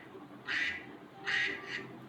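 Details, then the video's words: Domestic duck sound played in a guessing game in a school lesson: two short, nasal, raspy quacks a second apart, then a softer third, over a faint hum. "Okey, ni adalah bunyi itik."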